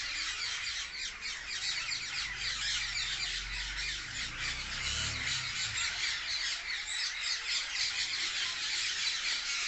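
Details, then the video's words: A tree full of parrots chirping loudly in the open: constant overlapping shrill squawks from the whole flock, with a faint low rumble in the background around the middle. "A Tree Full Of Parrots| Natural Parrot Sounds| Loud Parrot Chirping"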